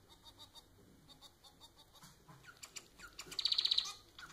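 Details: Pet society finch (Manon) song meant to stimulate singing: soft, rhythmic, quiet ticking notes build into buzzy twitters, then a loud quick trill of high clicking notes near the end.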